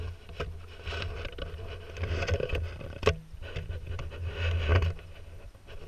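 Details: Scraping, knocking and wooden clatter over a steady low hum, with a sharp click near three seconds and no animal voice.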